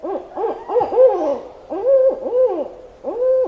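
Barred owl hooting: a rapid series of deep, slurred, arching hoots in bursts, with overlapping voices that sound like owls answering one another.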